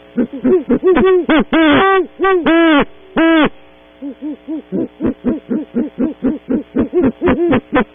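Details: Early-morning visit of two great horned owls to a tree cavity at Audubon Starr Ranch, California, on a webcam: a burst of loud, overlapping drawn-out hoots, a brief pause, then a quick run of short, evenly spaced hoots.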